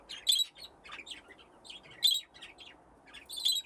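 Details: Aviary flock of budgerigars at play near nesting boxes; high, clipped chirps in loose clusters, with three louder bursts roughly every one and a half seconds and softer chatter between.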